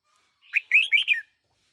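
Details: A single brisk phrase from a one-year-old decoy red-whiskered bulbul: a sharp opening note followed by three rolling, whistled syllables, clear against a quiet background.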